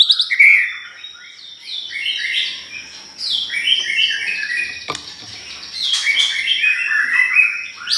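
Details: Lure song of a white-rumped shama meant to provoke other birds, a fast stream of varied chirps and whistled phrases in bursts, with a steady high tone running underneath and a sharp click partway through.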